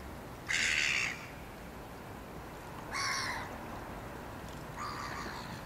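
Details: In Brussels, Belgium, in February 2012, a Common (Mew) Gull (Larus canus canus) gives three harsh, nasal, drawn-out squawks, each about half a second, spaced two to three seconds apart over soft background hiss.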